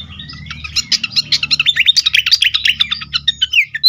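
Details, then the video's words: Agitated fantail in full song: a rapid, high-pitched jumble of sharp chirps and short whistled notes, about five per second, sometimes sliding upward, with a faint low hum early on. "sikatan kipas ngamuk sekali dengar cocok untuk pikat dan rangsangan bunyi burung bahan"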